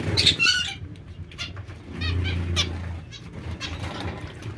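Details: A loud, bright zebra finch call opens, followed by softer nasal beeps at intervals over a low droning hum.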